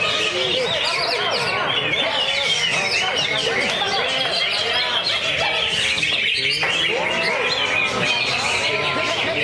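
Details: Greater green leafbird in a lovebird cage delivering its full-fill 'ngentrok' song with tight, trembling bursts; rapid chattering notes and repeated looping whistles pour out without pause, briefly thinning near the middle.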